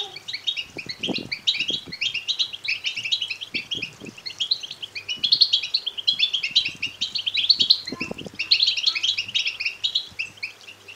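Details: European goldfinch chicks' natural begging twitter, used to stimulate males to sing and mate: dense, continuous high chattering and tinkling notes in overlapping bursts throughout, with a few soft low thumps and a faint steady hum underneath.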